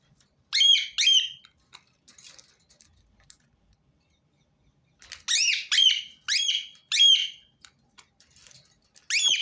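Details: Repeated shrill, grating screeches from a rose-ringed parakeet, first a pair of calls, then after a quiet gap a rapid run of five loud rasping notes, with one more at the close.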